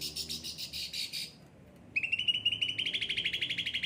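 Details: Caged cucak ranting singing: a raspy buzzing phrase, a short pause, then a rapid trill of repeated notes rising slightly in pitch.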